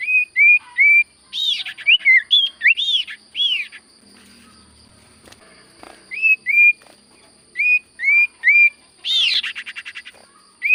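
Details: Common iora singing steadily: clear whistled notes, some arched and some slurred, coming in quick bursts of two to four with short pauses between groups, and a faint steady high tone in the background.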